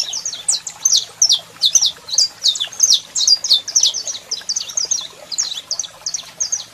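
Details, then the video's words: Saffron finch male singing intensely while a female calls, played to excite other birds into singing: a rapid, unbroken run of bright, sharp chirps and trilled notes, high-pitched and repeated several times a second for the whole stretch, with little background noise. "Canario da Terra Cantando Muito e Fêmea Chamando Top Para Foguear"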